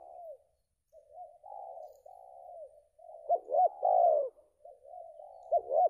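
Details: Competition spotted dove, recently moulted and placed second in ranking, gives a series of soft level coos that build into a loud throaty coo phrase, then quieter coos resume.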